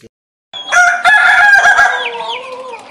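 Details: Ayam ketawa chicken, the laughing-chicken breed, giving a melodious crow: after a short silence a loud harmonic cry opens, holds strongly, then trails off in wavering, falling notes.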